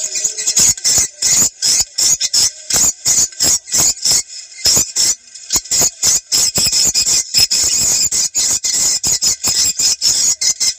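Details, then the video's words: Swiftlet calls played through a phone or portable speaker to test a site, South Kalimantan, morning or evening. Dense, high twittering pulses, about three per second, come unevenly with a short gap near four seconds. "Suara burung walet cek lokasi"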